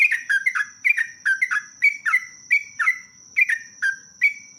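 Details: Yellow-vented bulbul (trucuk) in lively, long rolling ropelan song used as a lure: rapid bubbly, warbled phrases dropping from higher to lower notes, repeated roughly every half second, over a steady thin high-pitched whine throughout.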